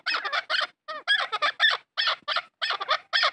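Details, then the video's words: Chukar partridge, described as a farm bird, giving harsh, throaty clucking notes in short bursts of two to four, with brief pauses between groups, fairly loud and clear against a quiet background. "Farmi chakor francolin voice |chakor ki awaaz | chakor farmi"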